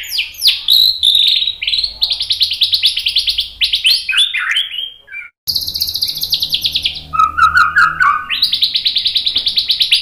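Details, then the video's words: White-rumped shama in full song for goading other birds: sweeping high whistles and fast trills, a falling run, a sudden cut, then buzzy high rattles and a lower gurgling phrase before more rapid trilling. "MASTERAN MURAI BATU biar EMOSI NYAUT jadi GACOR BONGKAR MATERI TEMBAKAN ¦ PANCINGAN MURAI"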